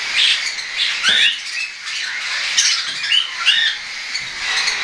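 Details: Hand-tame juvenile cockatiels recorded 10 September 2012, some independent feeders and some not yet, while flying; loud curved screeching squawks come in bursts from more than one bird, with soft rustling between them.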